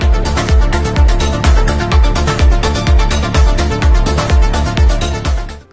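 Loud electronic dance music with a steady driving beat and sustained synth tones; no animal calls can be heard.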